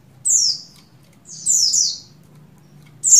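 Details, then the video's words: Oriental white-eye female, buxtoni form, in breeding condition calling the male; long shrill whistles gliding down in pitch, one single and one doubled, then a new note starting. "Call Burung Pleci Betina Birahi Memanggil Jantan"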